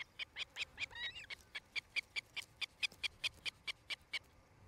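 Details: Osprey at a nest near Charlo, Montana, on 8 July 2018 at about 17:00–18:00, gives a rapid series of high, sharp whistled chirps, about four per second, with one slurred squeal early on; faint background hiss.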